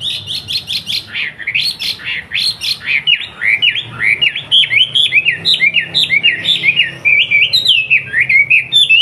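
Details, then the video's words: Wambi from Surabaya, Indonesia, singing a master song meant for training young yellow-vented bulbuls: a non-stop stream of quick, bubbling, warbled notes that dip and rise. A steady low hum runs beneath. "MASTERI TRUCUKAN & BURUNG KICAUAN MU DENGAN SUARA BURUNG WAMBI GACOR"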